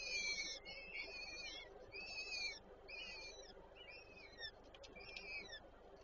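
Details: At a peregrine falcon nest in Warszawa Żerań, Poland, 8 May 2023, the female feeds the chicks. Dense run of high, wavering, squealing calls, several overlapping at first, then shorter separate notes fading in strength, with a low background hum.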